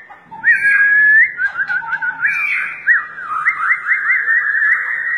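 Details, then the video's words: White-rumped shama 'fighter' producing a steady stream of looping, wavering whistles, sounding like a rapid rolling warble with hardly any pause. "MURAI BATU FIGHTER memiliki berbagai gaya tarung"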